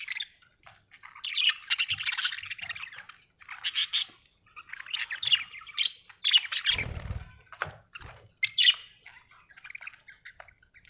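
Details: Budgerigar in a happy mood singing a long, continuous scratchy warble mixed with chirps and squeaks, nearly unbroken, with a brief low thud midway.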